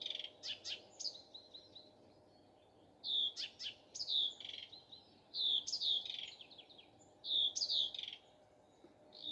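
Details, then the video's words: Nightingale's morning song in separate phrases with short pauses, each built from clicks, falling whistles and brief rattles. "Nightingale singing. Утренее Пение Соловья."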